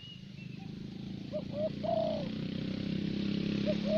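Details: Caged thổ bầu spotted dove used as a lure bird in Vietnam, cooing with short clipped notes followed by a drawn-out falling coo, partly masked by engine-like rumble and background murmur.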